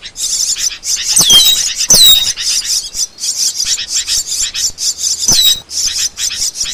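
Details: Asian glossy starling song for training songbirds: fast high chattering notes repeated steadily, broken by several sharp descending whistles.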